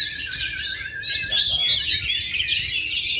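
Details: Oriental magpie-robin, said to have gone two and a half years without moulting but still performing at full power, in Indonesia. Continuous high, bright whistles and twittering trills with quick pitch sweeps, sung almost without pause.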